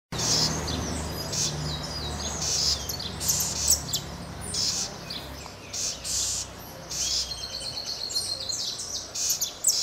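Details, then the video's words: Southern House Wren (Troglodytes musculus) nestling in Santa Catarina, Brazil, giving rapid, high chattering and scratchy calls in bursts over a low background hum. "Corruíra, Troglodytes musculus, Southern House Wren"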